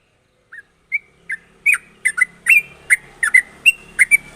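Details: Sooty-headed bulbul singing in a sharp, trilling style, used as a lure recording for other bulbuls. Begins with single soft whistles that speed up into a run of bubbly notes over a faint low background hum.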